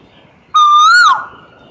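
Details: Asian koel (Eudynamys scolopaceus) singing: a single loud, rich whistled note of about half a second that holds steady, swells slightly upward, then drops away over a quiet background.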